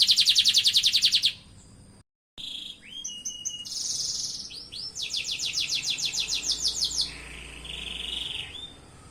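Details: Canary song, fast high trills of rapidly repeated notes, a brief break, then rising slurred notes and a long rolling trill before a steadier high phrase.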